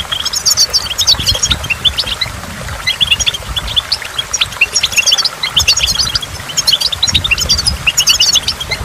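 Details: Goldfinch singing by a waterfall: high, bright chirps clustered into quick twittering phrases that repeat every few seconds, over a constant low rush of water.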